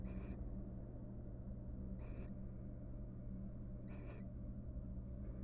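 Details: Three breathy, grating screeches spaced about two seconds apart from a wild barn owl pair showing affection in a nest box once their three nestlings are raised; steady low-pitched hum underneath.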